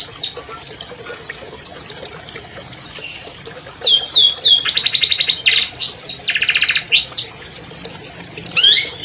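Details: Captive albino long-tailed shrike, champion bird, opening quietly, then giving downslurred whistles mixed with dense buzzy trills and rattles, ending with a rising and falling whistle.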